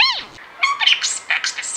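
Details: Pet budgerigar mimicking human speech, repeating the phrase "Nobody expects the Spanish Inquisition": quick, squeaky, high chattering syllables in a short burst after a sharp whistled opening note.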